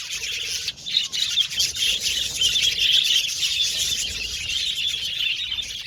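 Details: Lively budgerigar chatter, loud and dense, rapid overlapping chirps and warbles at a high pitch, growing busier after the first second.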